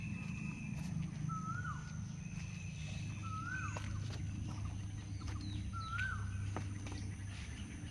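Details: Asian koel calling at a flower plant nursery: three clear whistled notes that rise then fall, spaced about two to three seconds apart, over a steady low rumble of background noise.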